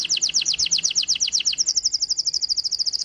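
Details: White-eye song in a "tembakan isian" style: rapid repeated high notes, about four per second, first as descending two-part strokes, then shifting after mid-clip to faster, flatter chips.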